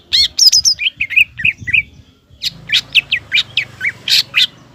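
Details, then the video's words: Lively green leafbird singing to rile up a young speckled rival. High squeaky notes lead into short downslurred whistles, then a pause and a string of sharp, evenly spaced chips. "CUCAK IJO GACOR MEMANCING CUCAK IJO TROTOL AGAR EMOSI DAN PANAS"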